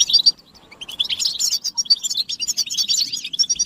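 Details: Flock-like chirping of European goldfinches, motivational calls for males. A short twitter opens, then a dense burst of rapid, overlapping high chirps and liquid notes fills the rest.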